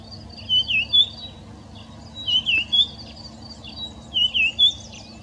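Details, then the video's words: White-browed (red-backed) scrub robin, a species singing variably between areas, sings three short, high whistled phrases, each a quick run of slurred notes, repeated about every two seconds over a faint low hum. "Red-backed Scrub Robin singing"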